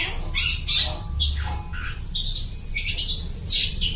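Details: Long-tailed shrike voicing borrowed calls of other birds, used as a lure; spaced harsh squawks and short downslurred whistles, rough and nasal, against a faint steady hum.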